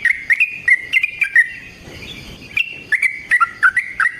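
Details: Sooty-headed bulbul (trucukan) rapid long song used as a lure and training master for other birds: bursts of short chirpy notes near the upper-middle range, rising and dipping, with a brief pause mid-clip.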